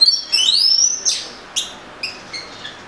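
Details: Oriental magpie-robin producing one long whistle that sweeps upward, followed by several short, spaced, fading notes.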